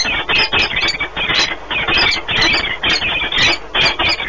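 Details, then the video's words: Peregrine falcon pair at a nest in Płock, Poland, on 1 March 2019, during a long meeting and bonding; harsh, grating squealing notes in rapid bursts, about three per second, continuing throughout with brief pauses. "Sokoły wędrowne Orlen Płock (PL) - 2019.03.01 - Długie spotkanie, wiązania"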